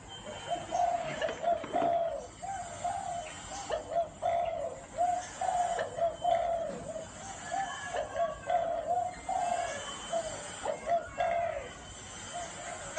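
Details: Long run of spotted dove cooing in the gáy gù style: many short low hollow coo notes in loose groups, rising and falling in loudness, with faint scattered higher sounds behind.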